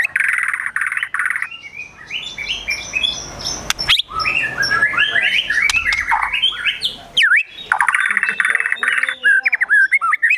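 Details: Agitated gacor emosi song of a white-rumped shama, with besetan, tembakan and kunti imitations: buzzy rasping phrases at both ends around a long run of rising and falling whistled notes.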